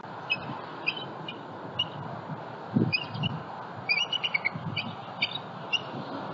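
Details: Bald eagles at a nest in Southwest Florida, 27 February 2020, morning, with eggs and eaglets and a juvenile flying over. Faint, sparse high squeaky chips scattered through the clip over low rumbling background noise.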